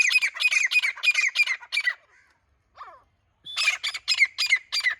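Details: Grey francolin (grey teetar) calling: bursts of harsh, rapid, repeated squawky notes in quick series, a short pause with faint lower notes, then another fast run of loud rasping calls.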